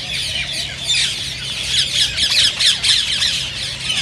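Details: Chorus of rose-ringed parakeets, whose calls are said to stimulate others to sing and mate; many high, scratchy screeches pile up, swelling in intensity between the second and third seconds.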